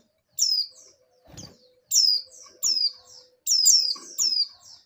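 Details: Female oriental white-eyes in breeding condition call to males: sharp, high, falling whistles in groups of two or three, with a soft flutter and low thud near the start.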